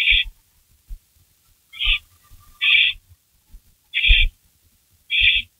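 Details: Barn owl at the nest around 3:53 AM, 16 May 2012, with a delivered rabbit being shredded; five loud hissing screeches at uneven gaps of about a second, with faint thuds underneath.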